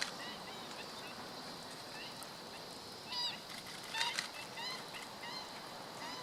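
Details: Filmed on 17 August 2013, a black-winged stilt utters a loose series of nasal, goose-like kek notes, some slightly rising, scattered irregularly amid a steady outdoor hiss.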